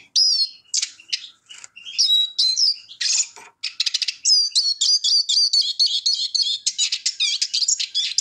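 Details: Eurasian siskin (Spinus spinus), song.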